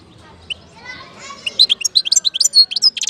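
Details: European goldfinch in Algeria, 2019. Faint low chatter comes first, then rapid high twittering starts at mid-clip, made of bright chirps and nasal notes that grow louder and end in a buzzy rattle.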